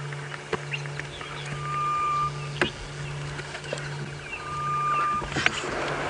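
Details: Grey-headed bushshrike (Malaconotus blanchoti) in the morning on a safari drive in a South African game reserve, 29 October 2016, gives two long, level, hollow whistles about two seconds apart over a steady vehicle engine hum and a few clicks.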